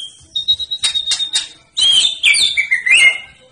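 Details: White-rumped shama with a fighter mentality, ready for song contests: a thin steady whistle, then bursts of high chirps and sharp twittering notes that end in slurred, falling whistles.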